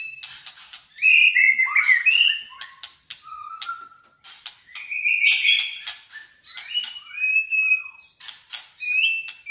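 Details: Malaysian white-rumped shama of fighter type singing: scattered high whistled notes, sharp clicks and short slurred phrases, less dense and a little quieter, with gaps between the bursts.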